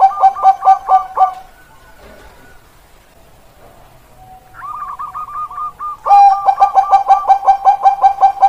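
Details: Bangkok perkutut, a kept zebra dove stock from Indonesia, 16 October 2023. Rapid rolling coos pulse in a short burst, then a quieter trilled phrase, and finally a long steady run of bubbling notes.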